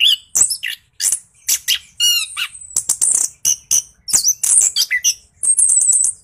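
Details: Orange-headed thrush in energetic rolling 'gacor ngeroll' song, used as a lure to spur lazy birds into singing: rapid varied bursts of high whistles, buzzy trills and sharp chips, with short pauses between phrases.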